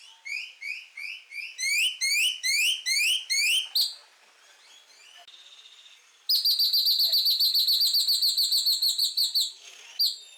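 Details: Great-tailed Grackle giving a series of about ten rising, whistled upslurs that grow louder, then a soft rustling gap, then a long loud rattle of rapid, high, ringing notes repeated some twelve times before one last squeal.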